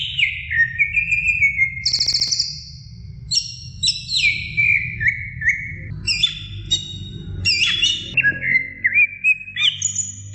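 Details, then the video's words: Training song of a greater green leafbird for other birds, a long varied sequence of ringing whistles, high rapid trills and descending slurs, with brief pauses between phrases and a low steady hum beneath. "suara masteran cucak ijo gacor"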